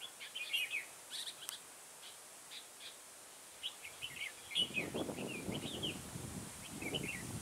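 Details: Trapping decoy red-whiskered bulbul in a garden, 9 October 2017, giving bursts of chirpy, tumbling phrases; partway through, low rustling and handling noise rises beneath the continuing song.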